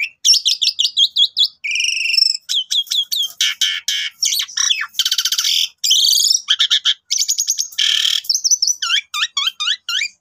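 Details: Extended Asian pied starling song, played in the morning to get other starlings singing: a dense, nonstop mix of quick chirps, long rasping buzzes, shrill trills and looping high whistles with almost no pauses.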